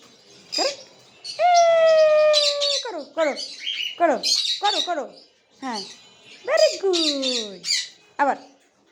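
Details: Pet cockatiel producing a long, steady, harmonic-rich whistle followed by a run of rapid downward-sweeping chirps and rasping squawks, in two lively bursts.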